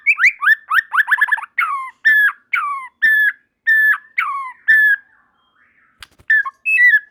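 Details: Singing white-rumped shama, other shamas chiming in; fast rattling chatter at first, then evenly spaced loud whistled phrases of similar shape about every half second, a short gap, then renewed notes.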